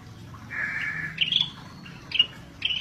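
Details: Singing scaly-breasted bulbul, described as 'gacor': a sustained whistled note that breaks into a high, clear phrase, then separate short bright whistles spaced out over the following second. A low background hum runs throughout.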